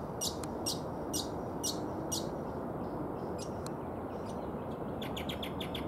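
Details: Brown honeyeater calling: sharp, high chip notes given singly about twice a second, then a quick cluster of five chips near the end, over a steady loud rushing background.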